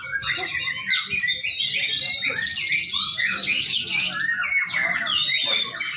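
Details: Song of a young white-rumped shama, played as a training lure: busy, tumbling medley of sharp chirps, rising and falling whistles and scratchy trills that keeps going for six seconds, with a faint low hum underneath.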